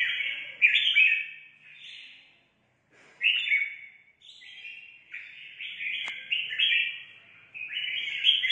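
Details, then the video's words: Competitive singing by a red-whiskered bulbul newly brought in from the forest, with bubbling whistled phrases broken by a pause, then rapid chained notes and a single sharp click. "Chào mào mới ở rừng về hót đấu"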